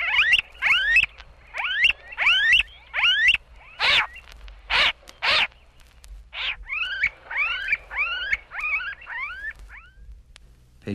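Smooth-billed Ani giving rapid, whining, rising whistles in quick runs, broken by a few harsher, louder squawks.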